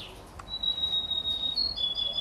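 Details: Canary x European goldfinch hybrid aged 33 days producing a thin, sustained high whistle that holds steady, then briefly lifts and dips near the end, over low background hiss.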